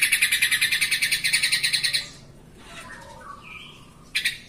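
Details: Agitated yellow-vented bulbul used as a lure to provoke other bulbuls into calling: a rapid, harsh, buzzy chattering rattle of about two seconds, pulses densely repeated, then near silence with a faint distant chirp and a brief final burst.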